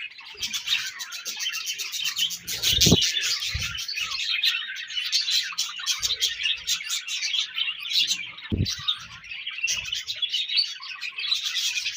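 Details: Many budgerigars chirping during breeding season, steady overlapping warbles and tweets with sharp clicking bursts and two loud low knocks partway through.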